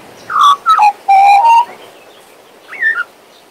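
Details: Pet male Western Australian magpie warbling and whistling: a falling slurred whistle, then short clear notes and a level fluted note, ending with a brief rising-falling whistle after a pause. The room is otherwise quiet.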